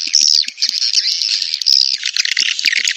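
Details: Edible-nest swiftlet mating call used as a lure to draw swiftlets into a nest house: dense, high twittering chatter with quick buzzy trills and a few clear rising whistles, heard continuously throughout.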